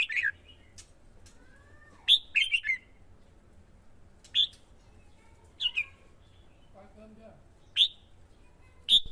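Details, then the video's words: Red-whiskered bulbul in Vietnam, a caged male pushed by a female into competitive singing to lure wild birds; scattered single short whistled notes and brief doublets with quiet spaces between, faint background hum. "CHIM CHÀO MÀO KÍCH CHIM HÓT MỞ MỎ CĂNG LỬA HÓT ĐẤU"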